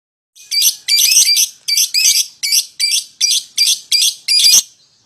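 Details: Lovebird song played as a lure to call a rival into singing: harsh, buzzy high chattering bursts repeated about every third of a second in a steady run, no other sounds.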